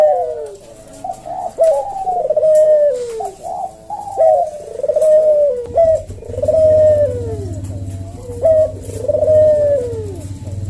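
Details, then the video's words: Collared dove (puter jawa) cooing in slow 'senggang' style, recorded to tutor caged birds. Clipped notes alternate with long descending coos about every two and a half seconds. A low rumbling hum joins in the second half. "Burung puter jawa kuk deruk manggung merdu suara SLOW SENGGANG"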